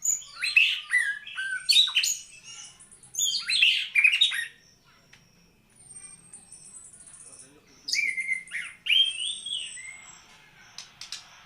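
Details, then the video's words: White-rumped shama, a prized songbird, singing varied loud phrases: swooping whistles and rich rising notes in bursts, a pause with thin high whistles, then more sweeping rising phrases. "Kicau Murai Batu"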